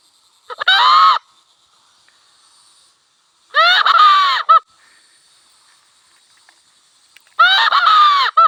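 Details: Wild cock from a village: three harsh, strained, arching crows, each about a second long, spaced roughly three seconds apart, with a thin high hum between them.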